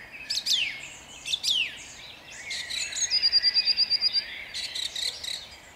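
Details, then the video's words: Song thrush at dawn, Jabłonna, 29 April 2021: two descending whistled phrases, one right after the other, then a fast rattling series of a dozen short notes and a final chirpy flourish. "Drozd śpiewak śpiewa o świcie"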